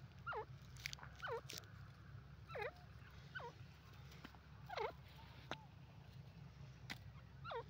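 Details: Grey francolin, locally called dakni teetar: a series of sharp, falling, hooked notes repeated about every second, with brief clicks between them over a steady low hum.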